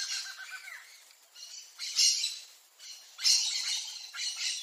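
Swallow Tanager giving harsh, high squawking calls in irregular bursts, about one every second, with faint thin chips between.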